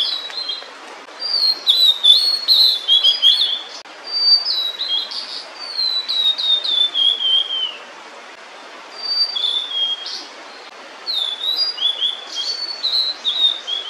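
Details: Singing female blue-and-white flycatcher holding food, delaying her return to the chicks; clear whistled warbles, some falling, delivered in phrases of a few seconds with quiet gaps between.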